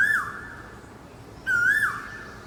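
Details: Asian koel in a park tree in the morning: the tail of one whistled call, then a pause, then a full note that wavers upward and falls away, over a soft background hum.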